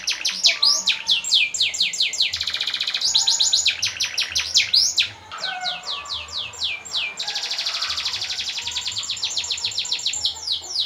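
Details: Contest canary song with long rolls, used as tutor audio to get other cage birds singing: fast trills of downslurred notes and buzzy rolls, with a short lull near the middle.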